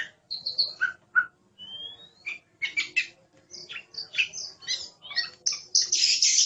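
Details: Oriental magpie-robin in a varied, rapid song with sharp whistles, a rising slur, and dense harsh chattering notes that build toward a loud, noisy end.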